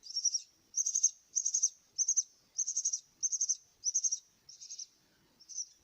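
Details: Myna chicks awaiting food repeat buzzy, high begging bursts about every two-thirds of a second. Each burst is softly pulsed, and the last few are fainter.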